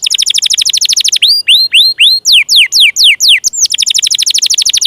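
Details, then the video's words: Canary song used to prompt silent, lazy or young canaries into singing: fast trills of descending high notes, then a series of rising upswept whistles, drooping slurred notes, and another rapid trill, loud and continuous, no other sounds. "SUARA PANCINGAN KENARI MACET,, MALAS BUNYI DAN KENARI PAUD"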